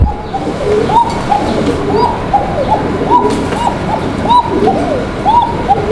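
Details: A red Bashiraj pigeon from a breeding pair, the female coming into laying, gives thin, high, arching coos typical of the breed, repeated over and over in quick overlapping phrases.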